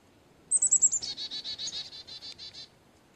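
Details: Carolina chickadee giving its call: a quick run of four or five thin, high, slightly descending notes followed by about ten buzzy, harsh 'dee' notes repeated rapidly, clear against a quiet background.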